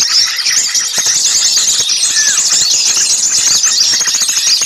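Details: Many small birds calling at once in a lure track meant to draw birds in: an unbroken wash of thin, high squeaks and chirps, with one clear downward whistled slur partway through.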